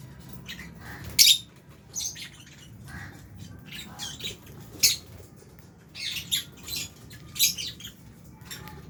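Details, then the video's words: Short shrill squawks and chirps rise irregularly, roughly every half second to second, from albino and Fisher's lovebirds feeding in an aviary that also holds budgies. "Lovebirds Chirping Sounds"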